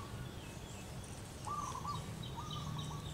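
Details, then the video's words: Female zebra dove, local type, calling its partner: two rolling trilled coo phrases in quick succession, set against steady low rumble and thin, high twittering from other birds. "suara perkutut betina lokal manggung panggil pasangannya"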